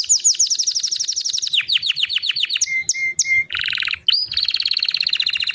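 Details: White canary sings fast, high rolling trills in quick changing tours, a brief lower whistled phrase, then a buzzy roll and a rapid chattering trill.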